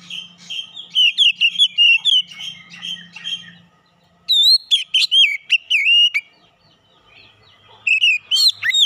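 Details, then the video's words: Oriental magpie-robin (kacer) lure recording meant to provoke full song: over three seconds of rapid chattering whistles above a low hum, a brief lull, then a loud burst of sliding whistles and a final short flourish. "PANCINGAN KACER LANGSUNG PANAS BONGKAR ISIAN"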